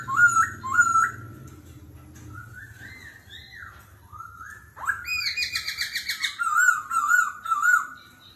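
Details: Laughingthrush delivering varied forest-voice song in a singing duel: looping whistles, gliding phrases, a sudden run of rapid high chirps, then repeated lower whistled notes, ever changing.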